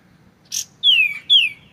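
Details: Kapas tembak, or white-shouldered triller, sings with a clear voice. One short buzzy burst is followed by two loud, pure whistles, each sliding down from high to lower pitch.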